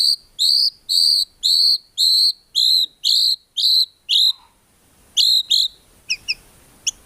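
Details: White-rumped shama singing actively, its song packed with fill-in phrases and free of ngukluk notes, a tutor recording for cage songbirds: a clear whistled note repeated about once a second, eight times, then shorter notes and sharp clicks.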